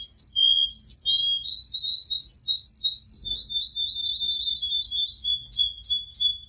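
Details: Tame canary in full song: varied high warbling phrases and quick buzzy trills, shifting pitch between runs, with brief pauses between bursts.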